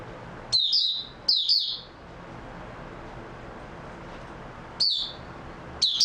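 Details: On 3 March 2022 an oriental white-eye gives brief clusters of thin, high, descending chirps: two close together, then a long pause before two more, over quiet low hum.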